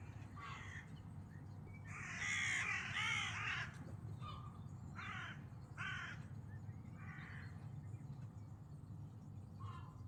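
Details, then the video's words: Very loud gulls calling strangely: harsh, raspy, croaking cries, one long burst followed by several shorter ones spaced a second or two apart, with steady low background hum. "Seagulls are very loud and make strange sounds"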